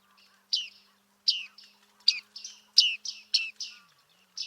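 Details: Bearded reedling recorded at Liepāja, Latvia in July 2023, giving a quick run of ringing nasal 'ping'-like notes, several per second, clear against a quiet backdrop.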